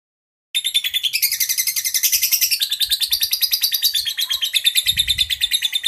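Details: Prize-winning caged lovebird singing its rapid ngekek chatter, a long unbroken trill of dense repeated buzzy notes about three per second, high-pitched and sustained, with faint low thumps beneath.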